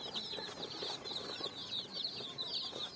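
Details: Coloured chicks jumping about on sand; a blurred, continuous wash of high cheeping from many chicks, less distinct, with soft rustling underneath.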